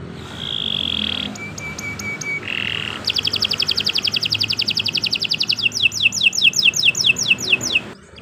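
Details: Long canary song used for song training: soft level whistles and a thin high tone, then a lengthy fast trill of paired notes giving way to repeated falling sweeps, with low background hum.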